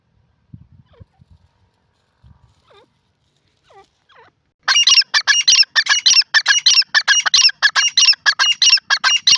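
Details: Grey francolin (desi teetar) calling: after a few soft, faint notes, a loud, shrill, rapid series of harsh repeated calls begins and runs steadily to the end, several notes each second.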